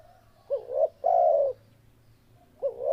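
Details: Spotted dove song: a quick rising note and a wavering coo, then a drawn-out level coo that sinks at the end. A new phrase begins just before the close. Soft background hum.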